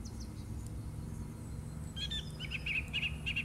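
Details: Song thrush singing in March 2018: clear, bright notes, each quickly repeated two or three times in short phrases, over a steady low rumble.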